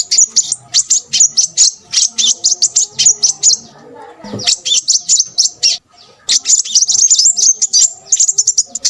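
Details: Crimson sunbird song: dense, very high, rapid twittering in fast chattering bursts that break off for a moment in the middle, then resume. Faint low hums sit underneath.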